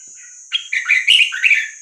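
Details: Vietnamese red-whiskered bulbul song in the 3-4-5-6-7 pattern, played to teach chicks and excite birds: a soft lead-in note, then a loud, rich phrase of rolling, slurred whistles, backed by a steady thin high tone.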